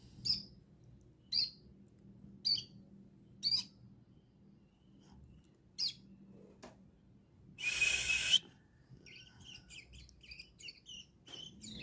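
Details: Wild bar-winged prinia singing in the ngriwik style: short, sharp high notes repeated about once a second, then a brief burst of hissing noise, followed by a quicker run of twittering chips.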